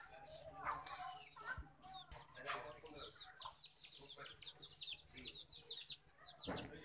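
Turkeys give a rapid stream of high, thin, downward-slurred peeps, several birds overlapping. A brief human voice and a thump come near the start.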